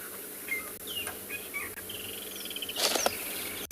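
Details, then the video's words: Woodland Kingfisher gives a fast, high, rattling trill after a few short, sharp chirps, calling in the background on a morning safari drive in a South African private game reserve; a curious drongo is in a nearby tree. "You can hear the woodland kingfisher in the back, and there's a drongo that was rather curious about us."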